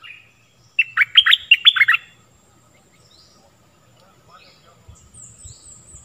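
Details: Stripe-throated bulbul, its song used to train young birds and draw in wild birds: one short burst of five or six clipped, warbled chirps, followed by near silence with faint distant bird notes.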